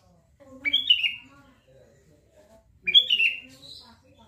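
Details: Two clear, fluty bulbul phrases, about two seconds apart, each a quick rising whistle falling into a short warble, from a Sooty-headed bulbul, with soft low background sounds between.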